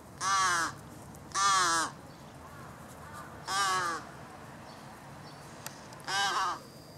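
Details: Large-billed crow chick begging from a parent, which ignores it while approaching the recordist near an arbour: four hoarse, nasal caws with rich harmonics, each about half a second, spaced one to two seconds apart, over quiet background.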